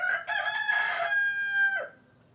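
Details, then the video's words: Rooster crowing in a farmyard setting among hens: one long harmonic crow with a rough, broken opening that settles into a held, steady final note before cutting off. "Kotkodálás és kukorékolás hangeffekt (Chickens with rooster sound effect)"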